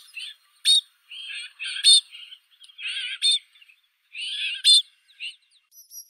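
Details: White-winged snowfinch uttering rough, buzzy nasal phrases at uneven intervals, each cut by a sharp high click, with a few thin high notes at the end.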